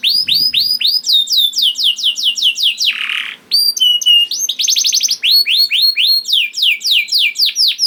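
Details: Young canary singing, used as a lure to get reluctant canaries singing: rapid tours of downward-curving whistled notes, about four per second, with a brief buzzy burst midway, then sweeping repeated syllables.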